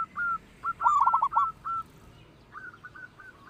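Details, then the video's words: Loud local zebra dove singing as a lure for other birds. Scattered short coos around one quick rattling burst, then a softer, fainter series of coos toward the end. "perkutut lokal suara besar"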